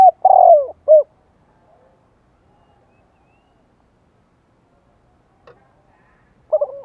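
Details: Spotted dove cooing to provoke other birds into singing back: two loud short coo phrases at the start, then silence, and a renewed burst of coos at the end.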